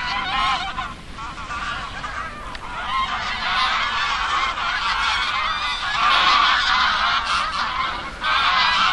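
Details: Geese at Oby in Norfolk, UK, calling as a large flock: continuous overlapping honks, nasal and rapid, with no pause across the whole stretch.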